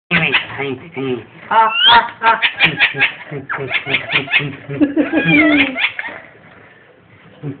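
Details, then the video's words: Pet ringneck parrot laughing indoors, a fast run of short, harmonic, voice-like bursts repeated about three times a second, broken by a rising squeal near the middle and a drawn-out warbling note toward the end. "ringneck parrot laughing crazy"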